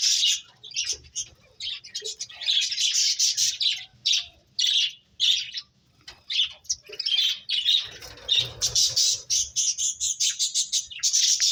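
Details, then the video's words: Finches at play give a lively chorus of sharp, high chirps and squeaky notes in uneven clusters, some quick runs of repeated notes, with brief pauses between bursts. "Cute Birds Chirping Sounds | Beautiful Finches Playing"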